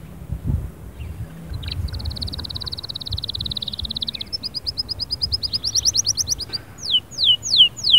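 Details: Canary in full, energetic song: a long even buzzing roll held for two seconds, a second faster trill with bright overtones, then several loud descending whistled swoops repeated about once every half second.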